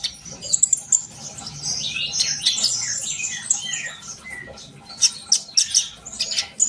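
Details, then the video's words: Sharp, high-pitched sunbird twittering, jumbled fast notes and short slides, with clusters of bright ticks toward the end. "kolibri bahan pasti yaut dengar suara konin ini gacor?"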